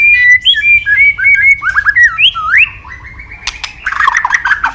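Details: White-rumped shama, Medan type, in rich continuous song with imitated phrases: a rapid run of wavering whistles climbing and dipping, then a burst of twittering notes mixed with sharp clicks.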